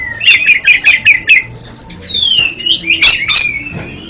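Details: Oriental magpie-robin song used as therapy for a stuttering bird: a fast run of sweet whistled and slurred notes, some harsh and scratchy, followed by long clear rising and falling whistles, with a faint low hum behind.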